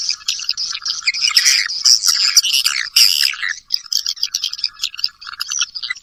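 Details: Swiftlet calling sound used to attract swiftlets, a nineteen-second lure track: dense, high-pitched chattering twitters and rasping squeaks, packed together with brief gaps, growing more broken toward the end.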